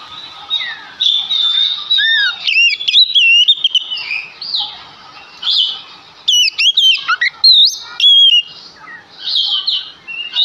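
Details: Oriental magpie-robin male singing loudly as a lure for other magpie-robins: a busy stream of whistles, swoops and short warbles with a faint steady hum underneath.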